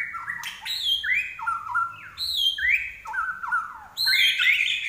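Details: Energetic common iora song in three bursts of harsh, fast chattering, each with stepped descending whistled notes.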